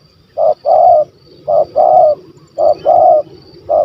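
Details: Spotted dove with a big voice and stuttering kuk 1 2 style, sought during a hunt: loud, low coos in a steady pattern of one short note then a long one, repeating about every second.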